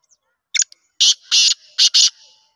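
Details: Black francolin calling in winter on 10 November 2023: a loud, harsh, grating phrase, a short opening click, then four raspy notes over about a second.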